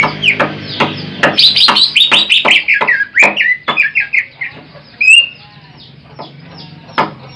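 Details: Greater green leafbird, a large jumbo individual recorded as a master song for trapping, pouring out rapid loud whistles and chirps in a dense varied run, with a clear rising whistle near the end.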